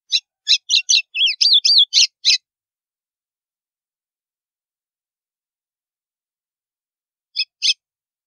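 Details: White-throated seedeater from northeastern Brazil singing the 'estalo' song used to stir other birds: a quick run of sharp high clicks and twisting whistles lasting about two seconds, then silence and two short notes near the end.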